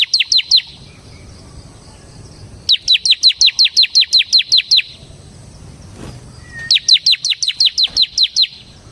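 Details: Bar-winged prinia, locally ciblek, singing as a lure and master bird: brisk bursts of high, falling chirps, four then about ten then eight notes, with a faint click near six seconds.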